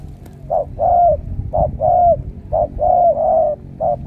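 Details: Decoy Spotted Dove in a cage, credited with luring six wild doves, coos in the đồng siêu gù style: steady low hollow notes alternating short and long, about one phrase a second.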